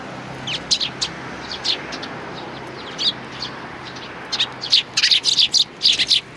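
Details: Sparrows recorded on 29 May 2019, giving sparse high chirps at first, then a quick string of loud, sharp chirps in the final seconds.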